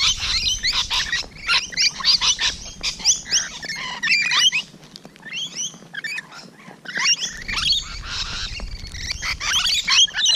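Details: Rainbow Lorikeets at close quarters on a June morning, a long stream of rapid shrill screeches and chattering, several birds calling together, with a brief quieter stretch in the middle.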